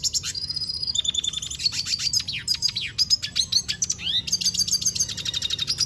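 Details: Dense, energetic warbling from a red siskin: high chattering notes tumble into buzzing trills and rising slurs, delivered almost without a break.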